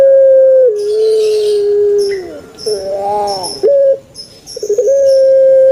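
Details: Puter pelung turtle dove, a kept bird, ending a long held tone with a lower drawn coo, a rolled gurgling phrase, a short sharp note and stuttering notes, then starting another steady hoot.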